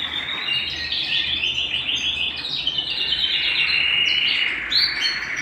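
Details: Canary song at home, a loud unbroken stream of fast trills and chattering notes, with a few sharp high chirps near the end.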